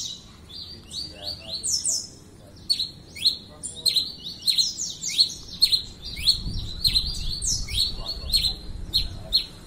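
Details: Red-crested finch singing a lot: rapid, slightly irregular runs of high downslurred chips at roughly 98 per minute, some doubled into quick pairs, with a low rumble in the background during the second half.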